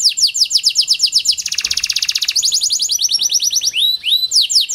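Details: Lure song from a pied 'panda' canary, used to get lazy canaries singing: quick down-slurred chirps speed into a dense buzzy rattle, slow into looser trills, and end with two rising whistles.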